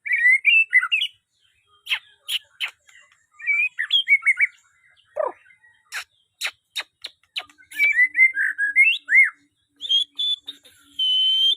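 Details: White-rumped shama singing varied whistled phrases broken by sharp dry clicks and snaps, with a harsher low note midway and a long steady high tone at the end.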